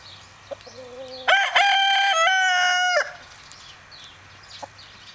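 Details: A young rooster of the Agent breed, a new Danish chicken breed from Odsherred, gives one loud, brassy crow under two seconds, ringing and slightly stepped in pitch, after a soft short lead-in note over a low hum.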